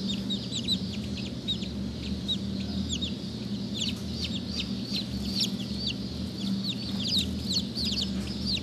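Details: Several Black Langshan baby chicks giving a busy, overlapping stream of high, thin, falling peeps, quieter and denser than single calls, with a constant low background hum.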